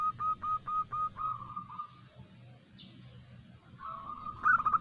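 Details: Local female zebra dove calling a male, used as a lure. Several spaced clipped coos, then a drawn-out softer coo and a late rolling phrase, over a low hum.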